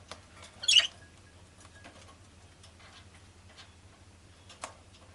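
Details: Rosy-faced lovebird with one piercing, scratchy chirp early on, followed by scattered faint clicks and taps, a softer distant note near the end and a constant low hum.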